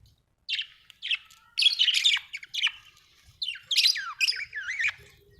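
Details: Happy budgie warbling in a clean, quiet setting: a continuous run of squeaky chirps, scratchy chatter and slurred, up-and-down whistled notes.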